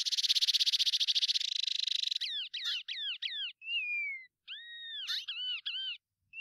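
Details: White-bellied Seedeater, also called patativa-chorona or chorão, one of five song variants: opens with a buzzy, rapidly pulsed trill, then a series of clear, looping whistled notes and slurred downward whistles with short pauses between.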